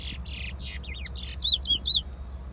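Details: Towa towa from Guyana singing a bright, fast song: buzzy, scratchy opening notes, then a run of looping whistled phrases that slur up and down, ending with three clear repeated whistled figures over a low rumbling background.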